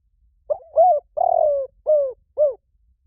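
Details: Spotted dove giving a lure call: five low, mellow coos in about two seconds. The first is a short double note, the third is the longest with a rough, pulsing start, and the last two are brief and rounded. No other sounds.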